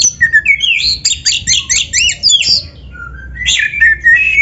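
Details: Oriental magpie-robin song used as training material for other magpie-robins: rapid varied phrases of whistles, chatters and sharp notes tumbling for over two seconds, a brief pause, then further whistled and sliding notes over low background hum.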